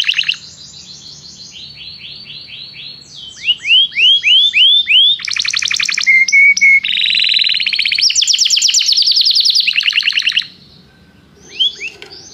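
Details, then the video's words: Canary in song training, calling another canary to sing; a varied stretch of trills, a series of rising arched whistles, loud buzzy rolls, a brief steady whistle, then rapid trilling fading to quiet with a few final swoops. "Canário chama o amigo para cantar - treinando canto de canário"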